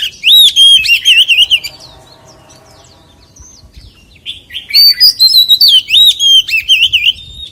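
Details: White-rumped shama song in a forest style: two loud bursts of varied whistled, warbled phrases sliding around a high pitch, separated by a quiet pause of about two seconds.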